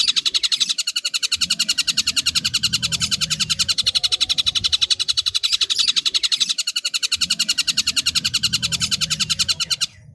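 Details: Long-tailed shrike in a sustained, rapid, even rattle of high harsh notes, almost four per second, lasting about ten seconds before stopping abruptly. A soft low rumble runs in the background.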